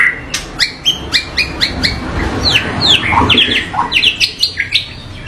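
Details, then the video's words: White-rumped shama song full of rough, varied bursts: quick sharp chirps and short downslurred whistles packed densely, many notes every second, over a low background rumble. "MURAI BATU Full Tembakan Variasi Kasar Mewah"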